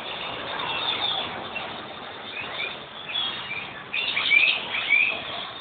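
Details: Evening gathering of hundreds of small birds in trees outside a house, every day after 6 pm: busy overlapping high tweets and twitters, growing louder and more excited with bright whistled notes near the end.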